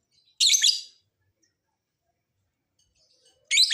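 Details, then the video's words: Lovebird prompting call to make birds sing and answer: two loud harsh screechy bursts, about half a second each, three seconds apart, otherwise quiet. "Pancingan Lovebird agar BUNYI, Lakbet malas pun akan NYAUT"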